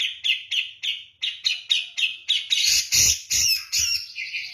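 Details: Grey-cheeked bulbul of the Javan type, in persistent 'kapas tembak' style song: evenly spaced clipped whistled notes, roughly four a second, swelling into louder, harsher, buzzy chattering bursts near the end.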